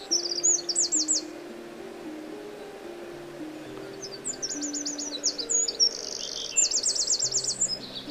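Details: In Morocco, a Eurasian wren delivers high-pitched, fast rattling trills in two loud phrases, the second longer with buzzy sections and sharp chips, while gentle low instrumental music plays underneath.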